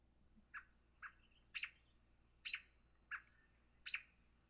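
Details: American robin giving its aggressive alarm call, used when a dog, predator or person comes near: six sharp, harsh alarm notes, each a loud squawking burst, spaced roughly every half to one second, against a quiet background.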